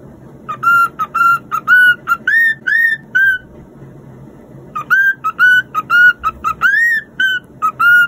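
A cockatiel whistles a learned tune of clear, pure notes near one pitch, some sliding upward, in quick phrases split by a short pause.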